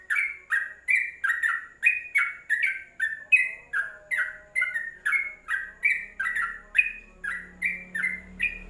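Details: A yellow-vented bulbul kept in a covered cage chatters in quick, bubbly paired notes, about two or three a second, dipping and rising; a low hum creeps in toward the end.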